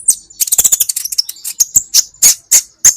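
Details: Masteran training recording of the olive-backed sunbird, called kolibri ninja: a fast, dense burst of shrill ticking chirps, slowing into separate loud piercing notes about every quarter second.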